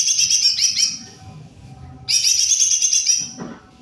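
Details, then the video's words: Greater green leafbird in full, energetic song: two dense bursts of rapid, bright chattering and warbling notes, each around one and a half seconds long, separated by a short pause. A faint low knock follows near the end. "Jomin full cor gacorrr"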